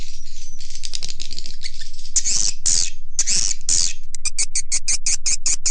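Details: Swiftlet lure call for attracting the birds: buzzy twittering at first, then loud shrill chirp bursts, ending in an evenly spaced run of sharp clicks.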